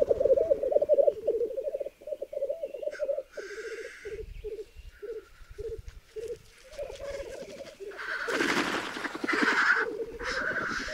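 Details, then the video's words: Black grouse males at a lek in the centre of a large raised bog in Berezinsky Biosphere Reserve, where ten hens gather around one male: steady low bubbling coos in pulsed phrases, broken by breathy hissing sneezes from several birds. "Уникальный тетеревиный ток на заповедном болоте"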